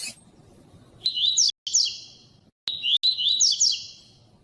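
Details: Female rusty-collared seedeater calling to stimulate males, giving two high calls in quick succession, each a level note breaking into fast rising chirped twitters, with abrupt clicks between them.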